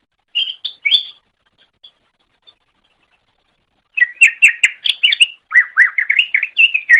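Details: Greater green leafbird song from a masteran recording used for training pet birds: a few short whistled notes, a pause, then a rapid jumbled run of varied chirps and warbles.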